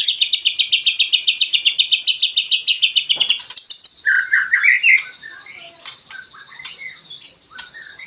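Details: White-rumped shama singing as a provocation for other songbirds: a fast even string of bright repeated notes for three seconds, then richer warbled phrases and scattered clicks.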